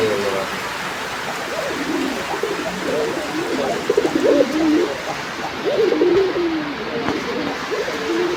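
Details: A male domestic pigeon in full breeding mode, part of a pair, gives low, rolling coos in quick repeated phrases, partly masked by steady rain, with men talking nearby; Gazipur, Bangladesh, 2 August 2025.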